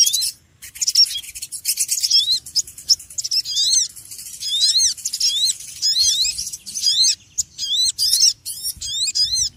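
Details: Dense stream of high, twittering chirps from a small noisy bird, notes tumbling almost continuously with a short wingbeat-like flutter near the start.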